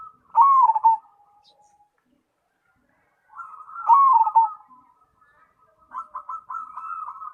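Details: Actively singing zebra dove, cemani variety: loud dipping coo phrases about every three and a half seconds, between them soft sustained cooing and a final series of quick stuttering coos.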